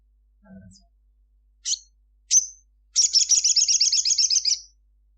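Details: Crimson Sunbird at midday gives two sharp, thin, high chirps, then a rapid, very high trill of about a dozen notes lasting over a second; a faint low thump comes first.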